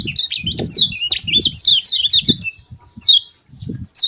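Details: A lemon-bellied white-eye's morning song: a continuous tumbling stream of high chirped notes, pausing before a few last chirps, over repeated low thudding noises.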